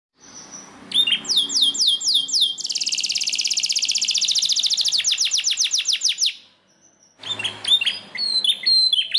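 A canary sings a bright, high, rolling song: downslurred whistles, then a long rapid trill of buzzy notes, fast repeated chirps, a brief pause, and more twittering.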